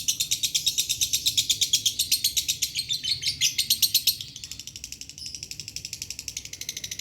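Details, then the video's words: Lovebird in dry-voiced lure song: loud, rapid, high-pitched chattering notes in a steady pulsing run, dropping briefly in volume after four seconds before continuing more softly with the same quick rhythm. "pancingan Lovebird suara kering"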